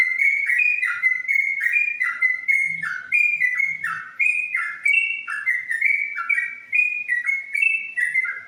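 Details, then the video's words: Yellow-vented bulbul song: a continuous run of clear, fluty whistled phrases, each a bright note dropping into a lower slur, repeated steadily about twice a second with little pause. "ropel trucukan"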